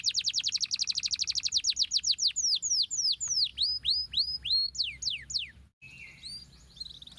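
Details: Canary song used to rouse lazy canaries: a dense rapid trill of bright falling notes slowing into long swooping whistles, broken by a short pause and a quieter, wavering continuation.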